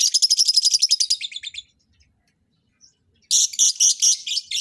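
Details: Lovebirds brought together for mating; a rapid, buzzing trill of shrill notes about four per second fades out, then after a pause a louder, rough rasping chatter bursts in.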